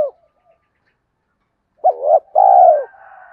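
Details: Spotted dove coo used to lure wild doves: after a quiet pause, a short rising note then a drawn-out falling coo, trailing into soft low murmuring.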